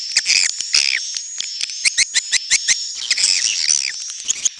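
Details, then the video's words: Swiftlet calls of the netral (neutral) kind: bursts of sharp, high chirps, spaced and evenly timed in the middle, then denser overlapping twitters toward the end, above a constant high-pitched hum. "SUARA BURUNG WALETNETRAL soUND"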